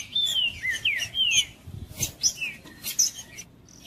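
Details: Green-winged saltator, called trinca-ferro, singing to excite other trinca-ferros; a few whistled descending phrases open the passage, followed by scattered high chips and brief bursts of noise.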